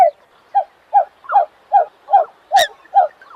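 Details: American coot calling in a rapid run of eight short, nasal notes, some with a slight downward slur, roughly two or three each second, with one sharp click near the end.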